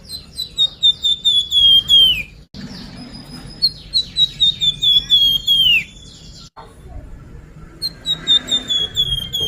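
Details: Flamboyan, the Sunda pied fantail, lure song: three bursts of rapid high whistled notes, each series descending and closing with a falling slur, separated by short silent cuts.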